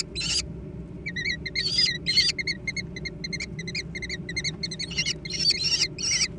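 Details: American kestrel young in a food fight, giving shrill, rasping cries separated by short gaps, mixed with brief clipped piping notes, about two to three calls per second, over a faint low background hum.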